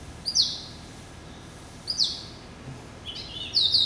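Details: Yellow-eyed canary × Timbrado hybrid finch, a pet hatched November 2012, uttering short sharp high chirps, then a longer bright buzzy trill at the end, in quiet indoor surroundings.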